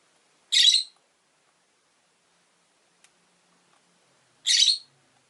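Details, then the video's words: Rosy-faced lovebird, kept caged beside a window with four companions, calling two loud shrill harsh chirps about four seconds apart in a quiet room. "Lovebird Chirping Sounds"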